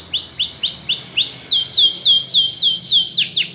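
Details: Training song of a Spanish Timbrado canary: evenly spaced looping whistled notes, roughly four per second, shifting into louder down-swept repeated notes.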